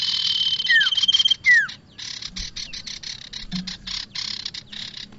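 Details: Bar-winged prinia lure sound: a harsh buzzy trill with a high thin tone and two descending whistles, followed by a fast run of dry staccato chips.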